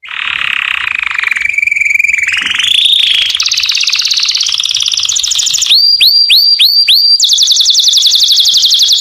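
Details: Canary singing to attract females for mating: a loud, continuous song opening with buzzy warbled notes, shifting into rapid repeated rising whistles, then a fast high rattling trill of very quick repeated notes.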